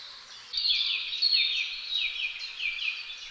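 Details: Great spotted woodpecker pair tending their young: a steady stream of rasping, buzzy chatter in quick downward-sliding bursts that carries on without pause.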